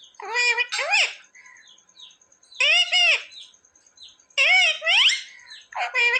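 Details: Pet parrot said to speak "mummy" and "papa": three paired, harmonic syllables that rise and fall like spoken words, separated by pauses with soft squeaks, plus a faint steady whine.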